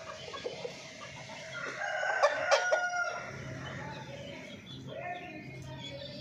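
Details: Chickens calling in the morning; a loud drawn-out crow peaks midway, with clucking around it and steady low background hum.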